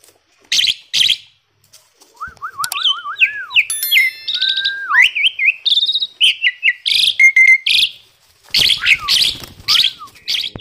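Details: Chatty, tame Asian pied starling, used as a training recording for other birds, delivers a wavering series of zigzag whistles, then harsh buzzy chatter, bright rising notes and clipped chirps in irregular bursts.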